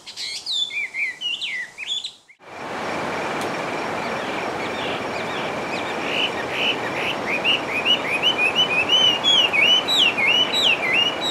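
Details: A wild Chinese hwamei (Garrulax canorus) sings a rich run of rapid, slurred whistles, rising and falling in quick repeated phrases, over a steady rushing background noise.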